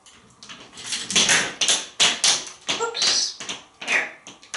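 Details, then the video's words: Talkative pet African grey parrot, male, hatched 1997, kept at home in Texas, perched atop a glass enclosure: a run of short, clipped, word-like phrases in a speech-like rhythm, with bursts and pauses in a quiet indoor room. "Einstein speaks atop his glass castle"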